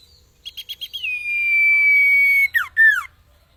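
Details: Common iora singing for cage-bird training, a brief run of short pulsed notes, a long clear whistle held at one pitch, then two steep downward slurs.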